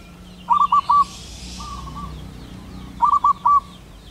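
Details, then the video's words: Wild local zebra dove, a male calling to a female, gives two loud phrases of three rolling, bubbling coos about two and a half seconds apart, with a softer dove cooing between them. "suara perkutut lokal alam jantan gacor memanggil betina"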